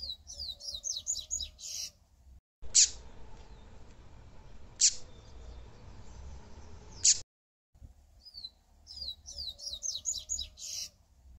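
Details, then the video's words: Yellow-bellied seedeater singing quick runs of high, sliding whistled notes. Three sharp, loud clicks fall in a pause between bursts, with a low background hum throughout. "O MELHOR DO PAPA CAPIM / COLEIRO.."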